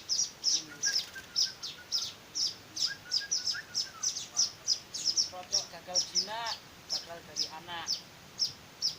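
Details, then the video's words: Weaver chicks being hand-fed, giving rapid, repeated high, thin chirps in a steady stream, with lower warbling notes and a few other bird sounds mixed in near the end. "meloloh anakan burung Manyar"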